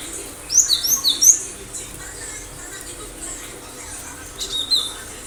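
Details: Sharp Cinereous tit song used as a lure for other birds: one quick phrase of several high thin whistled notes early on, then a single fainter note near the end.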